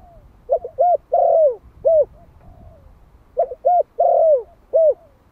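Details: Young Malai spotted dove, a one-year-old male decoy bird from Vietnam, calling to attract wild doves. Two phrases of quick hoots and a drawn-out falling coo, over light low background noise.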